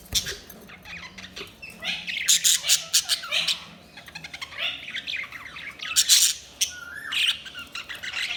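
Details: Budgerigars chirping in a busy chatter of quick, scratchy, high-pitched tweets and warbles, rising and falling in short bursts throughout, one caller sometimes overlapping another.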